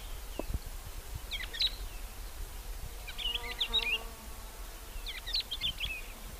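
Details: Crimson-winged finch calling: three short bursts of high chirped notes about two seconds apart, over background noise with scattered low thumps.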